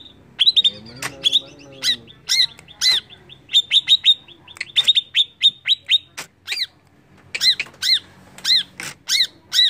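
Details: Greater green leafbird song used as a lure to provoke other birds: rapid bright chirps near one pitch in quick bursts, mixed with loud arched harsh notes and a brief low voice early on.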